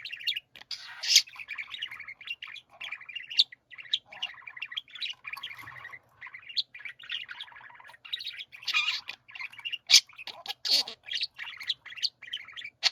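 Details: Several pet budgerigars singing together in chorus: a dense, continuous chatter of rapid chirps and buzzy, grating notes, with a few sharper squeaky peaks breaking through.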